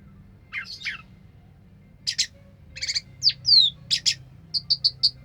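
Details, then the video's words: Orange-headed thrush singing at length: varied short phrases of clear whistled and chattery notes high in pitch, a descending slurred whistle, then four quick bright notes evenly repeated at the end, with quiet gaps between phrases. "suara kicauan burung anis merah sampai teler"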